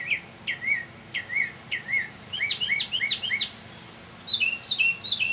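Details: Mockingbird performing an early-evening song in May 2007: bright slurred whistled notes repeated in series, then a fast run of high sharp chirps, followed by a new repeated phrase after a short pause.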